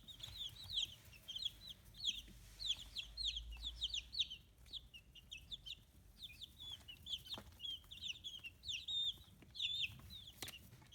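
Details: Chicks aged fifteen days on a small free-range poultry farm in Kitahiroshima, Japan, peep continuously. Many thin, high calls overlap, some falling and some rising, in an uneven chorus of chirps, with a few faint clicks behind.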